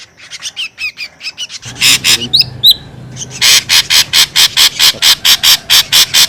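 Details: Noisy lure call of the ashy drongo. Thin whistled notes and chatter give way to a long series of loud, scratchy, rasping bursts, each about a quarter-second long, repeated steadily.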